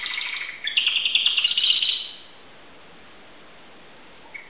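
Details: Timbrado canary from Greece giving a short burst of dense, buzzy trilled song lasting about two seconds, followed by near silence and one faint note.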